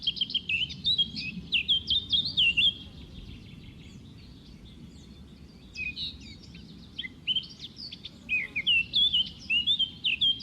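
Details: Juvenile white-eye while feeding gives rapid, high, warbling chirp series in two long bouts with a quieter stretch between, over faint low background hum.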